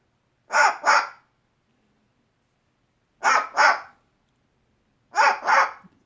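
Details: A pet cockatoo indoors barks like a dog at the neighbours' dogs and a squirrel outside the window. It gives three harsh, mid-pitched double barks spaced about two seconds apart.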